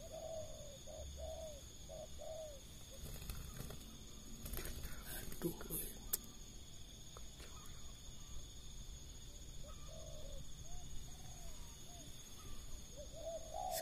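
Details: Spotted doves at 5 pm after rain, three or four coming down together to a lure bird and cooing at each other: soft, mellow phrases of three or four notes, with men talking and a steady high insect hum.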